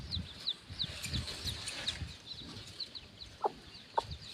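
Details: Baby chickens forage with their free-range mother hen near the coop before dusk. Quiet high peeps repeat over low rumbling background noise, and two brief lower clucks sound near the end.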